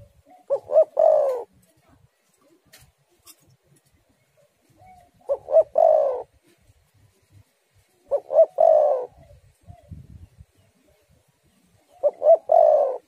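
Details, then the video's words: Spotted dove singing in a recording meant to lure other doves into song. Four identical phrases, each two brief low coos and a longer rolling coo, repeat about every four seconds with silence between them. "tekukur super gacor suara angin ribut"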